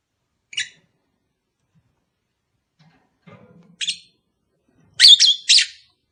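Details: Lovebird sounds intended to help a kept pair breed: a faint chirp, a soft low murmur, another thin chirp, then a loud, harsh double-note squeak near the end.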